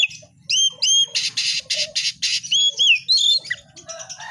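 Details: Oriental magpie-robin (kacer) delivering two rising whistles, then a rhythmic string of about six loud harsh rasping notes, followed by slurred whistled phrases and scattered chips, with a faint low hum behind.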